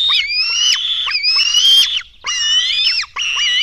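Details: Black stork nestlings being fed at a nest in Latvia, 24 June 2016 before 5 a.m.: loud, piercing, whistled screams in long held notes that dip at their ends, interrupted by one short silence.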